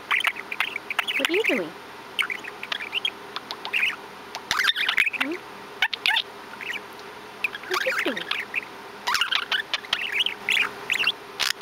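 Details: Pet male budgerigar, brought home in fall 2012 at about three to four months old, recorded October 2017 chattering: busy warbled squiggles and chirps with occasional lower sliding swoops, in bursts separated by short pauses, with sharp clicks throughout.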